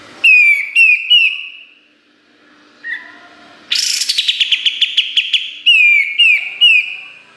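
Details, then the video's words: Kapas tembak song used to tutor other songbirds: a few loud falling whistles, then a long, dense, rapid trill of sharp notes, ending with more spaced falling whistles. "Masteran Kapas Tembak Gacor Nembak Isian Tajam Full"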